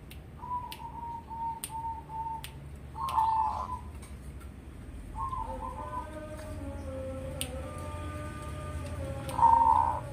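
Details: Crossbred Zebra dove, Bangkok by local stock, two years old, fearless around people, bred for a large, deep voice: short cooing bursts at irregular gaps over a steady low hum, with thin tonal lines and clicks in the background.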